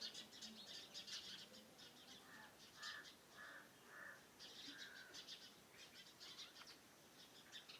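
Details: Farmhouse surroundings in the morning: soft high twittering birds fill the background while a few clearer, mid-pitched call notes stand out in the middle of the stretch.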